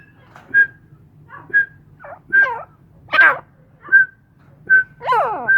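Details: Captive grey francolins: a thin whistled note repeats near once per second while another bird answers with louder, curving, warbling phrases, over a soft low hum.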